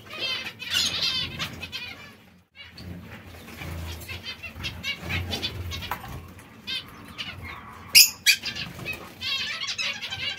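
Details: Zebra finches busy eating seeds and fresh salad call in rapid, overlapping nasal beeps. A brief quiet gap comes near two seconds, then sharper high chirps follow around eight seconds, over a constant low hum.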